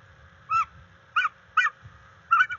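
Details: Bald eagles of a mated pair at their NCTC nest, 21 February 2022, live camera, mating and tracking territory: four clipped, squeaky piping notes spaced irregularly, the last two run together, with faint background hum.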